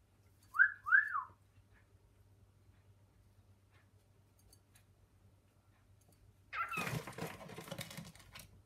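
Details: Pet male cockatiel in a kitchen with his female companion, calling her; two loud, quick whistled notes, each sweeping up then down, followed by silence and then a burst of rustling and clattering from the cupboards.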